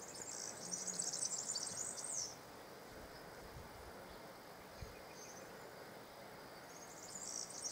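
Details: Male European serin delivering a dense, rapid, buzzy jingle high in pitch for about two seconds, then quieter short fragments later against steady outdoor hiss.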